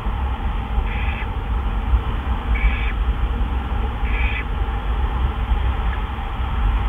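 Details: Owl by its nest on a March evening in 2013 as mates bring in a gopher and a mouse; three hoarse, hissing screeches about one and a half seconds apart, then a faint short note, over persistent low rumble.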